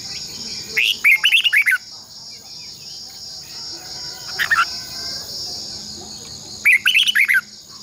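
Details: Red-whiskered bulbul song used as a decoy for training caged birds, from Vietnam: two loud bursts of five or six bright, rapid warbled notes rising and falling, plus one short note between, over a steady high insect-like hiss.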